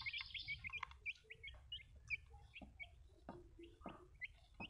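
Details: Baby chicks give short, high peeps in quick, uneven bursts, several overlapping, mixed with scattered knocks and taps and a low background rumble.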